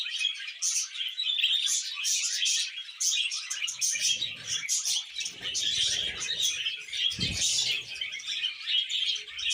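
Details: Budgerigars during mating and breeding, giving a dense, continuous high-pitched warbling chatter of rapid chirps and squeaks, with soft low thumps and rustling midway.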